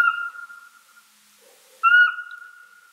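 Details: Owl calling: two long, clear whistled notes at steady mid pitch, each with a sharp start and then a level tone that fades slowly, separated by a pause of about a second, in an otherwise quiet setting.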